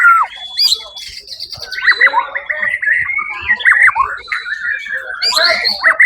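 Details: White-rumped shama singing at the Suara Agung bird contest on 1 October 2023, taking first place; opens with clear drawn-out whistles, then runs into rapid, varied slurred notes and chattering trills.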